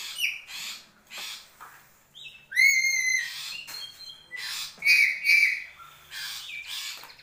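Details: Black-capped lory from Papua making a varied run of harsh squawks, short nasal notes and a few drawn-out, bright whistled calls, spaced irregularly with brief pauses between them.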